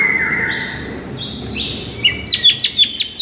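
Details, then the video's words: Shama masteran used to lure and excite a sluggish bird: drawn-out flat whistles at several pitches, then a quick burst of sharp, clipped chirps repeated about five times near the end. "MASTERAN EFEKTIF untuk Pikat Murai LOYO seketika langsung NGAMUK"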